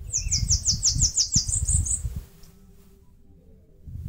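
A Bananaquit gives a fast, very high, thin song of about a dozen buzzy, down-slurred notes over two seconds, ending in a rising flourish, over low wind rumble.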